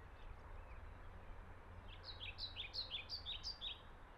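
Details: A singing male European pied flycatcher gives a quick phrase of sweet, alternating high and low notes, recorded on 12 May 2024 at Middelaar, the Netherlands.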